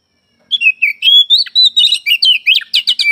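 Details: Oriental magpie-robin, singing by morning, afternoon and night: a lively stream of whistles that speeds into rapid, sharp chattering notes at about two per second, running on without a pause.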